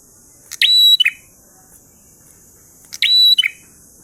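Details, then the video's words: Prinia (prenjak) singing actively in the sweet, drawn-out 'ngalun' style: two short bursts about two and a half seconds apart, each a sharp chip, a thin level whistle and a buzzy trailing note, over a quiet background. "Prenjak Gacor Ngalun Syahdu"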